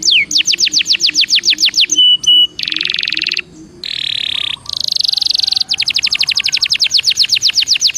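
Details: Belgian canary song: a fast run of falling whistled sweeps, a brief steady tone, then two dense buzzy rattles, and another quick series of descending notes at about five per second.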